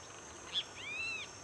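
A Black-capped Donacobius gives a brief high note, then a drawn-out, arching whistle that rises and falls over half a second, above a faint steady high hum.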